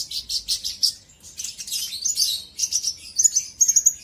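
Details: Sunbird, known locally as kolibri ninja, singing to provoke a rival bird. A quick run of sharp high chirps gives way to tumbling twittering and ends in clear, thin whistled notes.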